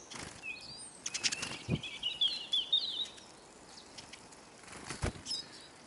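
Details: Flock of hungry Eurasian siskins at a bird feeder in Kolmården, Sweden: a busy run of thin, buzzy twittering notes in the middle, framed by sharp clicks and pecking sounds.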